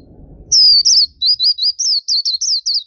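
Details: Black-capped white-eye in lively gacor song for masteran training: a long high whistle, then a quick run of thin, twisting notes, each rising and falling, about a dozen in under three seconds.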